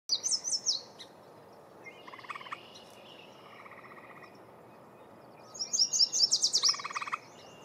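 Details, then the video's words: A Yellow Warbler sings in North America in the breeding season: bright, high, rapid phrases of sweet notes that speed up toward the end. Lower pulsed calls come between songs, with a steady hiss behind. "Yellow Warbler Song"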